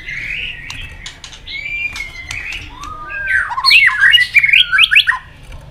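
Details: White-rumped shama singing in a competitive bout while flicking its tail: soft warbled and whistled notes build into a loud rapid series of chopped, rising-falling whistles, close and indoors.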